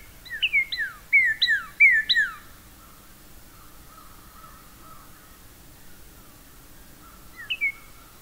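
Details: Northern Cardinal in a southern Maine backyard in late March singing a quick run of clear down-slurred whistles, about six in two seconds, like a laser gun, then a single note repeated after a pause.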